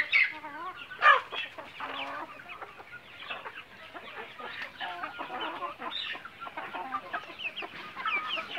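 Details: Farm-raised Bangkok chickens roaming semi-free, many birds clucking at once; a loud harsh squawk about one second in, then irregular repeated clucks and chatters layered over each other.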